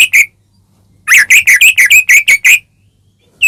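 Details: Caged white-rumped shama song used as a provocation lure: a brisk series of about nine loud whistled chirps, each with a short twist, after two opening notes and before a brief pause.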